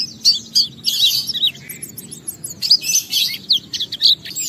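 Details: Oriental white-eye singing ngalas to prompt other white-eyes to join in: busy high twittering mixed with sharp squeaky notes and short trills, sung without a break.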